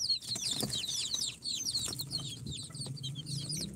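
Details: Many incubator-hatched chicks on day 4, a mix of Sultan, Golden Sebright, Cochin and booted breeds, peeping constantly: dense overlapping high, thin, downslurred cheeps tumbling over each other, with faint low rustling and taps underneath.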